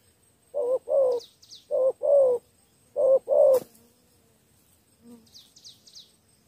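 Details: Spotted dove decoy calling to attract wild doves, three paired hoarse coos then a pause filled by faint high chirps of other birds and a soft low murmur.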